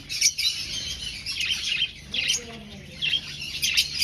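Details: Aviary finches in a breeding colony, seeking a nest, giving rapid high, thin chirps and tweets that overlap from several birds, in quick bursts throughout, with faint voices in the background.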